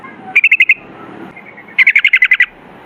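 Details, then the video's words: Sooty-headed bulbul singing in the rapid 'ropel ngalas' style: two quick bursts of five to seven bright, clipped notes repeated at an even pace, separated by a short pause, over quiet background hiss. "MASTERAN TRUCUKAN TERBUKTI AMPUH : Ropel Ngalas"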